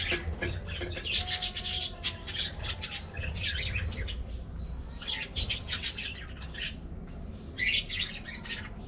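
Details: Colorful budgies getting a morning diet treat chatter in grouped bursts of high chirps and buzzy warbles, pausing briefly between flurries, with some wing flutter and low rumble.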